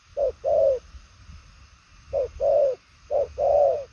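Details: Spotted dove with purple legs cooing in fast style: three phrases of a brief coo plus a longer rounded coo, about one and a half seconds apart, over low background rumble.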